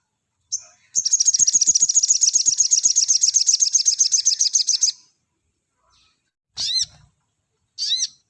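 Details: Sogon master recording for training cage birds, in the dense 'nembak rapat' style. A long, high, buzzy rattle of rapid pulses lasts about four seconds. Two separate, sharp, whistled notes with upward-curving harmonics follow after a pause.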